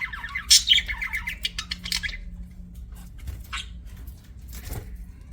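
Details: Pet budgerigar chirping indoors: a burst of harsh, scratchy chatter and squawks in the first two seconds, then quieter scattered chirps and a sharp call near the end, over a low steady room hum.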